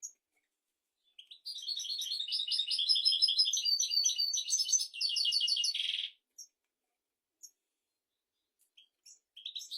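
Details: European goldfinch in full song, recorded for tutoring goldfinches and canaries: a long run of nearly five seconds of rapid tinkling twitters ending in a harsh buzzy note, then sparse single chirps.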